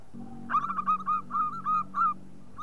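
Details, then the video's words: Zebra dove of the local perkutut type, used to lure and prompt other doves: one brief low note, then a rolling series of short, level cooing notes over a low background drone. "Panggilan Perkutut Lokal"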